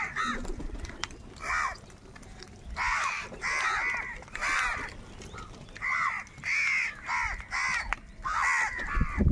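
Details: A big flock of crows fighting for food gives grating caws in clustered bursts, with faint low rumbling noise underneath.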